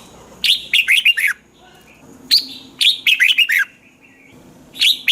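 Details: Thai red-whiskered bulbul singing, a recording meant to get caged birds lively: three bursts of loud, liquid whistled notes, each phrase four to six notes dropping in pitch, with short pauses between.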